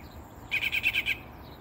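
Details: Northern mockingbird singing in the early morning, hidden in a peacock flower bush about 10 feet from a door in south coastal Texas: one quick phrase of about five harsh, buzzy notes in under a second, quiet before and after.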